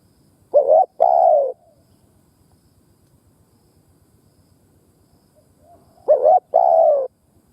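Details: Spotted dove cooing, a recording used to stimulate and lure doves: two low, hollow coo phrases about five seconds apart, each a short note followed by a longer rolling coo, over faint insect buzz.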